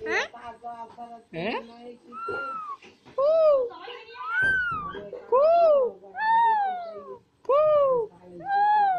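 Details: Two green pet Alexandrine parakeets chattering and talking indoors: a series of clear, arched, tonal calls that rise and then fall, repeated with short gaps and mixed with some rougher vocal sounds.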